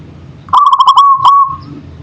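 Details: Local zebra dove, manggung style: one crisp phrase of rapid rolling coos, a brief pause-like accent, then a level tone fading out after about a second.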